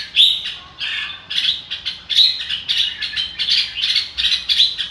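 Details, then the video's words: Red-whiskered bulbul delivering "ro kích bổi" style song: rapid, ringing, fluty notes in short rising and falling phrases, repeated almost every half second with little pause. "chào mào ro kích bổi sung theo"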